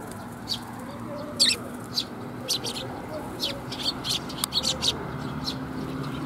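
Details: Sparrows coming to be fed at a Tenmangū shrine on 24 June 2021; short, sharp chirps scattered irregularly, some in quick doublets, over a steady low background hum.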